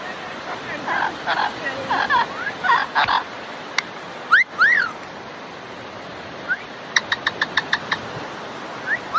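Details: Pet Amazon parrot at playtime: scattered short whistles sweep up and down, with a quick series of sharp clicking notes and a few brief high chirps over a steady background hiss.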